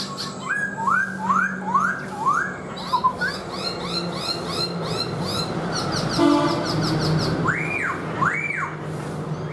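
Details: A black-throated laughingthrush sings and dances with its tail fanned: a series of rising slurred whistles, a jumble of quieter notes, then two strong arched whistles, with a low background hum throughout.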